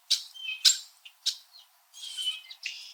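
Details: Winter Red-winged Blackbirds chirping at each other from high backyard branches in Southern Ontario, Canada: three loud, sharp chips followed by a longer, harsh, rasping squawk and a final buzzy note.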